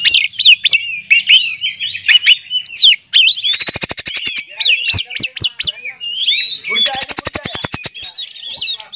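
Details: Oriental magpie-robin in full song, used to provoke other magpie-robins into singing: a busy run of loud, slurred whistles broken by two long, dry, ticking rattles, with more whistles between them.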